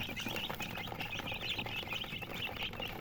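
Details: Colored chickens making a dense, continuous stream of high, rapid chirps that overlap throughout, with steady background noise underneath.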